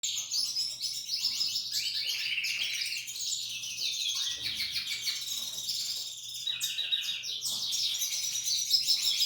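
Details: Belgian canary female singing indoors: a continuous, dense, high warbling song of rapid trills, chirps and rolling twittered phrases, sustained throughout with brief sharp notes and a faint low hum underneath.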